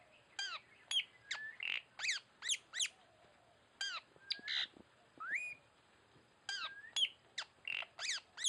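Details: Tanau calling as a lure bird: fast runs of steep down-slurred notes broken by rising whistled slurs, in groups every few seconds, with a pause in the middle and faint background hiss.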